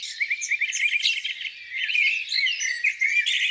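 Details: Twittering, warbling phrases from birds by a lake on a spring morning, run together with little pause, including a rolling burst of notes early on and bright high accents later.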